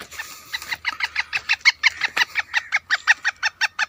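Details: Captive male Black Francolin, kept by its owner and hung on a tree in a woodland orchard, calling lively: a fast, even run of harsh clucking notes, nearly three a second, with faint low background hum.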